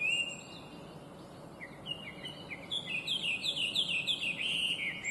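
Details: Invasive Chinese hwamei giving clear, complex song: a whistled opening note, then a quickening run of repeated upslurred whistles building into rich, rapid warbled phrases.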